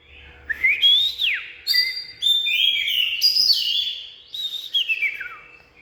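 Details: Oriental magpie-robin song of clear whistles, some rising and some sliding steeply down, strung into a continuous varied phrase with short rich notes and a descending slurred ending.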